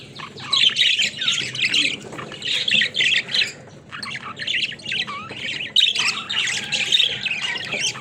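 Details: A flock of pet budgerigars playing in a cage chatters in bursts, loud clusters of squeaky chirps and scratchy warbles separated by brief quieter moments, with one clear rising whistle midway.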